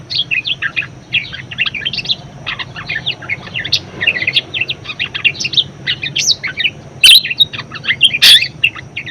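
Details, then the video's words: Talkative budgerigar (parkit) whose song serves as a master recording for teaching other birds: a long, busy chatter of twittering, squeaky and grating notes, broken by two loud sharp clicks, over a low hum. "BURUNG PARKIT PALING GACOR_SUARA MEWAH_COCOK BUAT PANCINGAN & MASTERAN"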